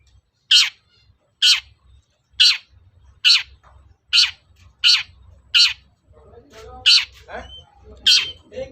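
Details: Long-tailed shrike sound meant to make other shrikes agitated and answer: loud harsh rasping notes repeated roughly once a second, with low rumbling background noise growing in the later part.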